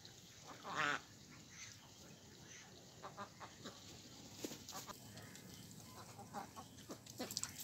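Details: On a duck pond with Mallards, Mandarin and Pekin Ducks, one loud rasping quack stands out near the start. Fainter scattered calls and pond noise follow.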